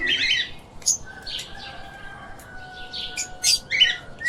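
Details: Lovebirds kept as pets chatter with bursts of harsh, scratchy chirps and very high sharp ticks, spaced irregularly, while a thin steady whistle-like tone runs faintly beneath much of the stretch.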